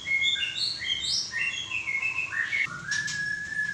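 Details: White-rumped shama with a 'klewer' tail delivering fluid whistled song: quick, varied notes jumping between high and mid pitch, ending in one long, steady whistle held for about a second.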